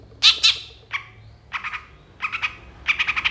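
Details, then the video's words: Long-tailed shrike giving harsh, broadband squawking notes, a double burst followed by single and then rapidly repeated grating calls in short clusters. "MASTERAN CENDET FULL ISIAN"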